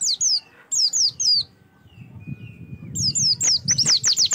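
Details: Oriental white-eye singing as a prompt for other birds: quick high down-slurred notes in short groups, a thin steady whistle in the middle, then a fast dense run of piercing notes.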